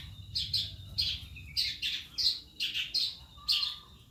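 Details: Calandra lark learning to sing: short chirpy, slightly buzzy phrases repeated about every half second, with a steady low hum underneath.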